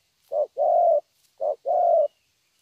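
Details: Low hollow cooing from a young spotted dove with a good "thổ" voice: two pairs of a brief note and a longer sustained note, clear and close, with near-silent surroundings.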